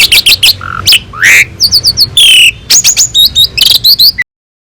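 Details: Asian pied starling singing a master song for teaching other birds: clicks, a short low whistle, an upslurred note, and sharp high whistles and harsh notes, ending abruptly in silence.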